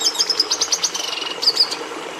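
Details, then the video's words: Short burst of red siskin song, the species breeders used to bring red into the domestic canary: a quick series of high chirps running into a steady buzzy trill, closed by two bright whistled notes. "Canto do Tarim da Venezuela"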